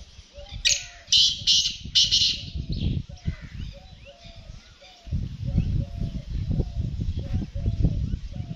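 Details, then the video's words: Black francolin call: short rising and falling whistled notes repeated in a steady run over a rough, noisy outdoor background, with loud scratchy bursts early on. "Kala Teetar Ki Awaz | Black Tittar | Amazing black francoling voice"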